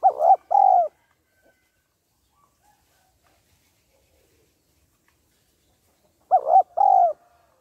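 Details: Female spotted dove calling to stimulate the male, giving short paired hollow coos, a brief note then a longer drawn-out one, repeated after a long silent gap of about six seconds.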